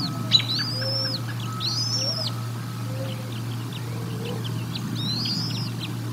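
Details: Bald eagles at the Decorah North nest, feeding on 1 April 2022, caught on a nest camera: three separate high, arched whistled chirps spaced a couple of seconds apart, with faint softer notes and a steady low hum.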